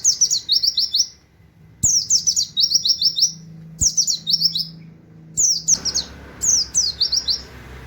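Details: Indonesian white-eye singing as training material for other songbirds: bright, high-pitched trilled twitters in clustered bursts roughly every second or two, over a faint low hum.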